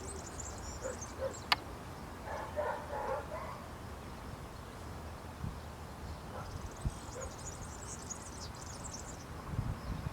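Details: European serin, recorded 2 June 2019 in Zamudio, Bizkaia, singing among branches: a brief high sizzling trill opens, then a longer jingling burst follows after a gap; lower mid-pitched notes and a low rumbling background are also heard.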